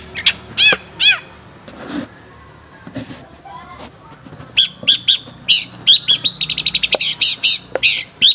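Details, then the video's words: A long-tailed shrike sings a full, varied song: a few slurred, ringing notes, then fast, bright, chattering bursts, about two or three a second, with a voice repeating "hai" throughout. "Cendet Full Isian"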